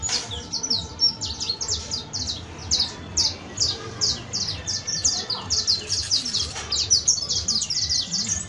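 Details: Saffron finch, locally called canario basto or canario criollo, singing its professional-style song: dense run of high, sharp down-slurred chirps repeated rapidly for the whole stretch, with faint low background hum.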